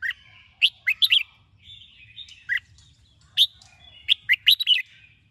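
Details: Red-whiskered bulbul morning song used for training birds: scattered bright chirps and short warbled phrases, the notes clustering more densely toward the end.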